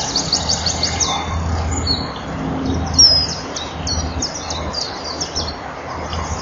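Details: A male common kingfisher at a nest-bank camera, 19 April 2012 at 09:05, keeps calling after the female flies onto the perch and enters the nest tunnel: thin, high, sharp chirps in quick irregular bursts over a low rumble.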